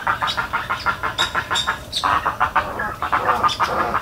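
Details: Spoonbill calls recorded in Everglades National Park: fast, uneven bursts of rough pulsed grunts, with occasional thin, higher notes over a low steady rumble.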